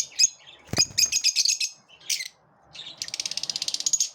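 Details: Lovebirds in a group repelling one another: rough chattering chirps, a low thump partway through, a brief pause, then a fast buzzy trill of rapidly repeated high notes.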